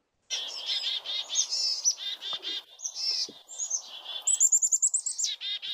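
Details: Chickadees giving alarm calls on seeing a saw-whet owl: dense, buzzy harsh scolding notes, then a run of rapid high chipping notes near the end, repeated in quick bursts.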